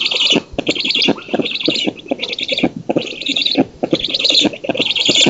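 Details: Black storks, nest camera on an oak in Poland, 19 June 2017, female feeding and an intruder being repelled; harsh stuttering chatter in uneven bursts of about a second, with hissing, wheezy overtones and short silent breaks.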